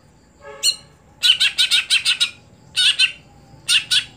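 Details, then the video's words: A short rising note, then dense bursts of harsh, raspy chatter in fast clusters from a caged greater green leafbird (cucak hijau), a contest songbird that has stopped performing at competitions. "Ketika Cucak Hijau Sudah Tidak Jalan Gantangan"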